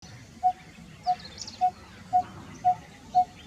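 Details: Coppersmith barbet giving six low, hollow, identical notes, about two per second in a steady monotonous series, with faint higher chirps of other birds and soft background rumble.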